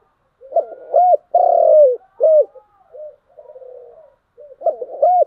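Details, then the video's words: Spotted dove singing in the giọng đồng style: a phrase of short, hollow coos, one long, wavering, drawn-out coo, and further rounded notes. Softer coos fill the pauses, with a quiet interval before the phrase begins again. "Cu gáy giọng đồng"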